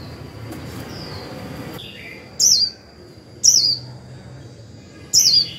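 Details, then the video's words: Decoy Japanese white-eye giving its 'líu' song to provoke wild birds: three separate high, thin, wavering descending notes roughly a second apart, over a steady high whine and low background rumble. "Khuyên mồi líu vừa phải kích bổi líu ngay!"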